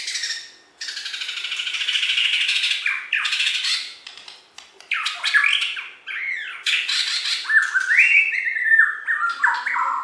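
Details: Champion Bornean white-rumped shama kept caged in West Kalimantan: a loud, harsh, rasping stream of notes runs almost without pause, broken by clicks, and ends in slurred whistled phrases.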